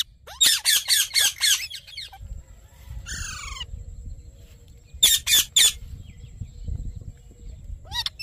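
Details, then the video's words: Rose-ringed parakeet calling: a burst of four harsh broadband squawks, then a descending nasal screech with stacked harmonics, and later three more sharp squawks with a rising squeak at the end; faint low rumble beneath. "Natural Parrot Sounds"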